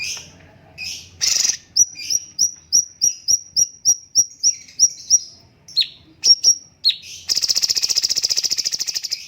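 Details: Cucak cungkok bulbul master song: a fast even run of about twelve thin high whistled notes, a few sharp chirps, then a long rapid buzzy trill.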